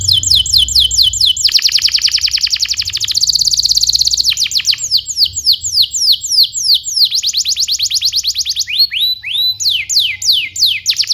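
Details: Master song of a gacor canary for training young birds: long stretches of rapid repeated falling whistles alternate with dense rolling trills, the notes speeding and slowing throughout.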